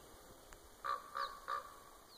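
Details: Common raven perched out of sight in a tree at Winlock, Washington, USA, giving three short, hoarse, nasal calls in quick succession, about a third of a second apart, over a steady background hum.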